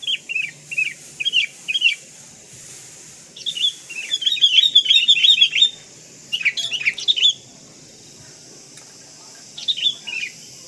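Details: Sooty-headed bulbul (kutilang kapas), a prolific singer heard in a fill-in tutor recording: quick liquid phrases of two or three falling notes, repeated in runs, then a busier chattering stretch and more bubbly phrases after pauses.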